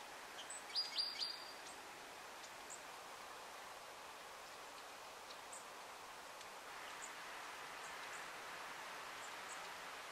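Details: Long-tailed tit (Aegithalos c. caudatus) in Audru, Estonia, March 2020: a quick burst of thin, very high calls, then scattered faint ticks over steady background hiss.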